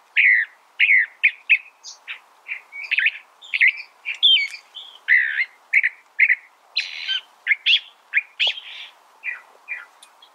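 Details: California thrasher (Toxostoma redivivum), song.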